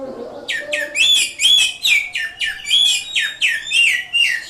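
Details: Greater green leafbird from Indonesia singing in ngatrok style: a lively run of about ten sharp, downward-slurred whistled notes, each with a bright high overtone, repeated roughly every half second after a brief low murmur at the start.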